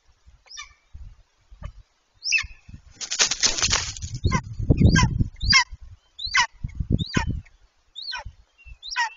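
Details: Golden eagle pair mating on the nest on 26 March 2023, the day before the female laid her second egg; a series of high, thin, downward-hooked yelps with harmonics, and a loud burst of wing flapping and rustling in the middle.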